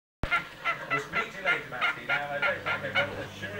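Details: Pet cockatiel imitating the family dog's bark, learned instead of whistling: a run of about ten short harsh barking yelps, evenly spaced roughly every third of a second, steady and hoarse with a noisy indoor background.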